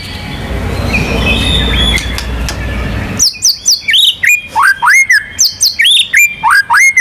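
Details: White-rumped shama, champion of a national contest, song with ngerol and nembak styles: after three seconds of rushing background noise with faint distant chirps, loud rising whistles and high sharp notes start in a brisk, regular rhythm.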